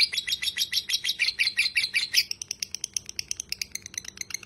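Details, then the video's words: Buzzy, grating notes from a lovebird in a rapid run of ngekek chatter, used as tutor audio, then switching to thinner, clipped high chirps in a looser rhythm for the final seconds. "masteran lovebird ngekek panjang"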